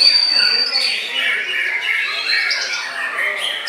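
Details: A white-rumped shama, said to bow deeply, sings a long steady high whistle that gives way to rapid, overlapping rolling phrases and chatter in a crowded soundscape of chirps.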